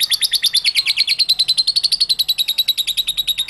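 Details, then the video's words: Lovebird ngekek song, used to provoke other lovebirds into singing: a fast, continuous chatter of high scratchy notes, about eight per second, running steadily throughout without pause. "COBA CARA INI MEMANCING BURUNG LOVEBIRD, PASTI BUNYI MENDENGAR VIDEO INI.. LOVEBIRD SINGING"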